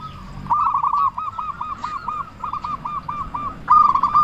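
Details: Loud-voiced local zebra dove in frequent song, used to lure other doves into answering: a quick run of about a dozen soft, arched cooing notes, even in pitch, ending in a louder rolling burst.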